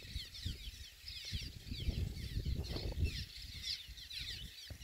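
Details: Cliff swallow breeding colony in full swing, UC Merced Vernal Pool and Grasslands Reserve, 16 April 2021. Constant high twittering and squeaky slurred calls from many birds rise over strong low-pitched wind noise.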